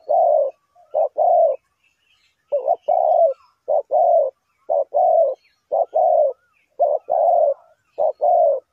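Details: Spotted dove serving as a trapping decoy coos again and again in quick pairs, a brief note leading into a fuller drawn-out coo, in clean, quiet surroundings.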